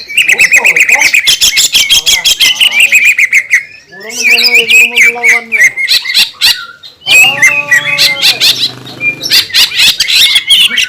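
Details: Green leafbird singing to provoke other green leafbirds, dense fast chattering and whistles interrupted twice by lower, nasal harmonic calls in mid-clip, then resuming rapid, scratchy high phrases.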